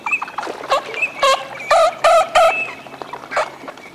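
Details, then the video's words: Eurasian teal at courtship displays in the wetland of Aiguamolls de l'Empordà natural park, Spain, on 25 December 2015: loud bursts of harmonic calls, several in quick succession, mixed with thin higher whistles from other birds. "SARCELLE d'Hiver/Anas crecca/Parades"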